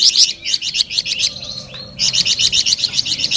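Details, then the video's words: Lively flamboyan bird song: quick, high, bright twittering notes repeated in rapid series, a short drawn note and pause midway, then another fast trill. "SUARA MERDU DAN GACOR BURUNG FLAMBOYAN"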